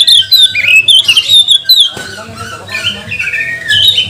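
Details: Singing magpie-robin used to goad other birds into song: brisk whistled notes and long slurred phrases, loud at first and softer later, with a low droning hum.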